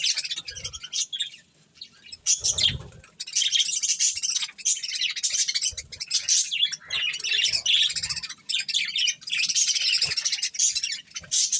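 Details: Budgies munching corn: a quiet start, then from about two seconds a dense wall of high twittering and chirped chatter from several birds, with occasional low knocks.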